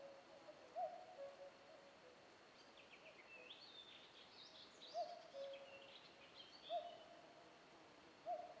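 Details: Distant common cuckoo giving soft two-part calls at uneven intervals, a short peaked note followed by a lower one, over a quiet background with faint scattered calls of other birds.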